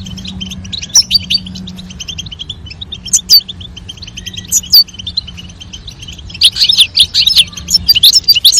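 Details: Goldfinch pair, female calls and male song given to stimulate mating; thin high twitter running throughout, a few sharp louder chirps, then an excited burst of fast tinkling notes in the last two seconds over constant background chatter.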